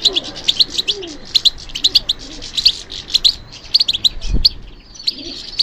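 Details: European goldfinch singing, described as responding to stimulation: rapid high twittering notes and short chirps repeated in quick bursts, with faint low background murmur.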